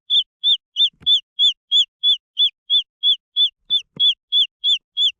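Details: Green junglefowl chicks calling: loud, clear high peeping notes, each slightly arched in pitch, repeated steadily about three times per second; two faint low thumps in the background.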